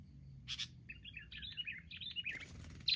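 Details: Wild sooty-headed bulbuls ganging up to attack, giving a run of quick bubbly chattering notes of mid-high pitch, fairly soft, with a louder burst near the end over low background rumble.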